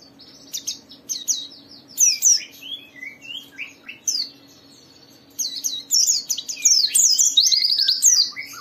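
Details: White-eye chattering song meant to set other white-eyes singing, a varied mix of high twitters, downslurred notes and short trills with quiet gaps, growing busier in the last few seconds.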